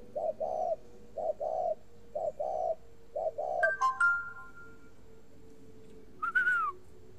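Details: Spotted dove kept at a bird garden in Ba Vì, Hanoi, northern Vietnam, giving a long cooing series: low two-part coos, a short note then a longer one, about once a second, followed by brief whistled electronic-like tones.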